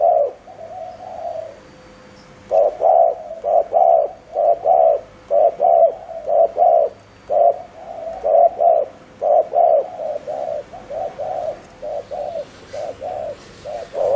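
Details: Spotted dove used as a decoy to attract wild doves, cooing in the fast 'gù' manner: a drawn-out opening coo, then a long string of brisk, evenly spaced low hollow notes.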